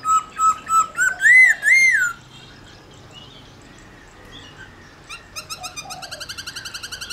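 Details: Black-throated laughingthrush singing to spur other laughingthrushes into song: a string of bright, fluty whistles swelling into longer arched notes over two seconds, followed by near quiet and a faint, fast high chatter.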